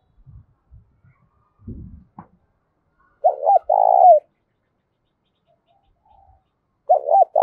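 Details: Loud, resonant provoking coo of a spotted dove used to incite fighting: a few low thumps and rustles, then a broken double note and a long level coo, with the next phrase starting near the end.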